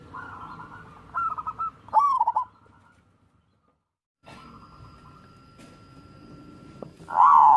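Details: Zebra dove of local wild stock singing, a recording meant to coax reluctant birds into song: rapid trilled coos in quick succession, then a pause of near silence, and a loud rolling coo phrase at the end.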